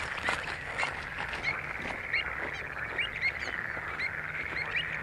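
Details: At Skanör and Falsterbo in Sweden in June 2015, pied avocets give loud, clipped, piping calls in an irregular repeated series, with a constant rushing background.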